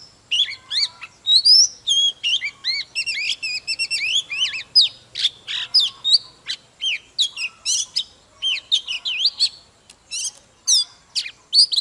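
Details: Oriental magpie-robin, adult wild-caught, delivering fast fired-up morning song with dancing display: long continuous stream of tumbling whistles, chirps and harsh notes, near-constant for twelve seconds.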